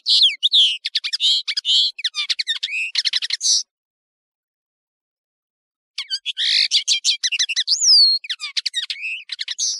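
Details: European serin, the Nino of Algeria and Kamatcho of Morocco, in high-quality tutoring audio: two bouts of hurried, jangling, high-pitched twitters with buzzy slurs, separated by a few seconds of silence.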